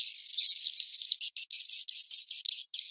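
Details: Swiftlet sleeping call for swiftlet farming, cave-crossing style: shrill, continuous twitter with wavering whistled notes, breaking into rapid choppy bursts in the second half.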